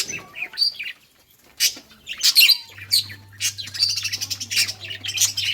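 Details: Playing budgerigars, June 17, 2023: sharp squeaky chirps and quick rising notes, starting sparse, then a dense chattering stretch of rapid high twitters, with a faint low hum in the second half.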